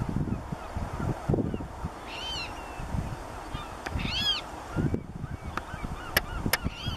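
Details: Water rail at Doonfoot, Ayrshire, Scotland, on 18 October 2018, giving short, nasal, squealing notes in a few bursts a second or two apart, over heavy low wind rumble and a couple of sharp clicks.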